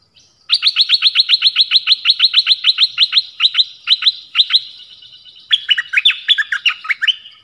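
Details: Nok dok taeng 'phleng boen' song, used to teach young birds and to excite birds. A long, even run of about twenty quick identical chirps, slowing toward the end, then a tumbling phrase of varied whistled notes.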